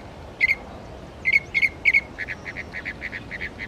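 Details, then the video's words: A Northern Mockingbird at Belle Isle Marsh Reservation, East Boston, Massachusetts, runs through its litany of songs: sharp, high chirps in quick pairs, then a faster run of repeated rough notes, over soft background hiss. "Northern Mockingbird bird songs"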